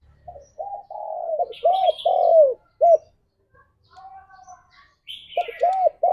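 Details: Spotted dove morning song to stimulate mating: a run of mellow coos, including a long falling note, followed by a quiet gap and another cluster of short coos, overlaid by bright chirping from smaller birds.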